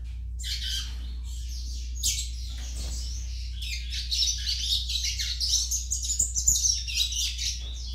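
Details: Young Yellow-bellied Seedeater singing a fast, scratchy, twittering high-pitched warble that starts with scattered notes and becomes a dense continuous run in the second half, over a steady low electrical hum.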